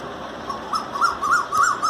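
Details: A male Indian (Asian) koel perched right beside a window behind the glass in Ghaziabad, India, on 24 April 2020, gives a quick run of loud, clear, rising whistled notes, each swelling louder than the last, about three per second.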